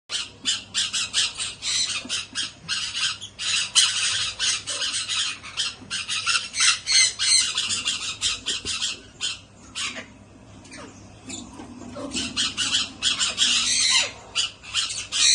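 Young sun conures give harsh, rasping squawks in rapid, overlapping bursts, nearly continuous throughout.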